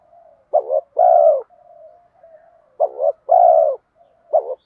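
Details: Spotted dove lure call, bronze-voice style mixed with urging coos: low two-part phrases, a quick stuttered double note then a longer steady coo, heard twice with quiet murmuring between and a third phrase beginning.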